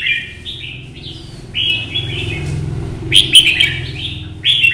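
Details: Solo red-whiskered bulbul in morning sunshine, competition singing while hopping perches to stir rival birds: a run of rising and falling whistled notes, then a louder sharp burst near the end, with low rumbling background noise.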